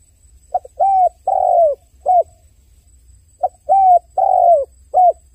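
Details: Two matching phrases from a crying dove, low smooth coos in a short-long-long-short pattern, the long middle coo sliding downward, separated by a brief silence.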